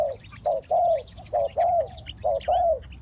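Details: Spotted dove used as a lure for trapping wild birds: a series of short, low cooing notes, each slightly falling, given in two- and three-note phrases, with faint higher chirps from other birds in the background.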